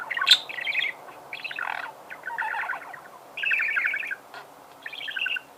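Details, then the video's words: Budgerigar song made of bursts of fast chattering warble, each under a second long, separated by brief pauses, with a sharp squeak near the start. "Пение волнистого попугая"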